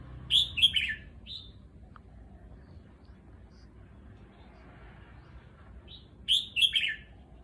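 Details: Caged red-whiskered bulbul adapting to a new cage in a new home sings two crisp three-part whistled phrases, one at the start and one near the end, separated by several seconds of near silence.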